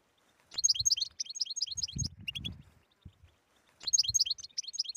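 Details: European goldfinch song in the tetsetsa style, rich in stimulating phrases and used to get silent goldfinches singing: bursts of rapid, high, tinkling twitters, a pause, then the phrase again, with low thumps and rustles underneath.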